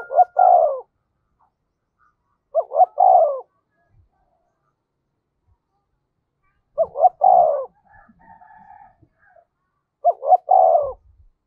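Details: Decoy spotted dove calling to quickly provoke wild doves, a 'thổ' voice style: four cooing phrases spaced two to four seconds apart, each two short rising notes then a longer falling coo; faint higher calls after the third.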